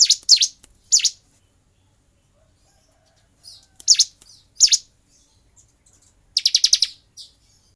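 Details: Bar-winged prinia song during fighting, kept-bird training recording. Sparse high sharp chirps with long silences, then a short rapid rattle near the end.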